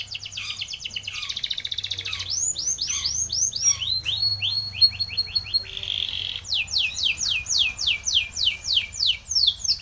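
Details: Spanish Timbrado canary singing a training song: a rapid trill, then runs of arched, rising-falling notes repeated several times a second, a short buzzy level note, and a long series of fast downslurred phrases.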